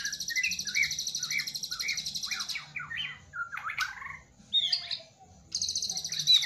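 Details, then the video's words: Song of a white-rumped shama with lavish filler phrases: a fast, high, pulsing trill over descending whistled notes, then sharp upslurred chips and a short pause before the rapid trill bursts in again. "MURAI BATU KAPTEN JRG || IDENTIK GAYA SUJUDNYA ,TEMBAKAN ISIANYA YANG MEWAH"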